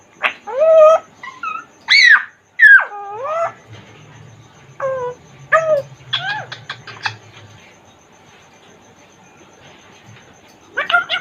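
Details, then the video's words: An African grey parrot of the Congo form, kept in a cage, talks in a varied stream of swooping harmonic notes, sharp squeaks and clipped chatters, with gaps of near silence between bursts. "african grey parrot talking in cage | Talking congo grey parrot"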